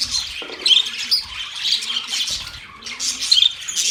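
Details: Budgerigars squawk and chirp in short, harsh bursts with overlapping warbled twitters and a few brief quieter gaps.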